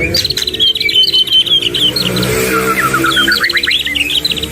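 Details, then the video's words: Two white-rumped shamas singing vigorously in a long phrase of repeated high chirped notes, then a rippling descending trill, all under a steady broadband hiss and low rumble. "Duo GACOR !! Burung MURAI BATU Full isian"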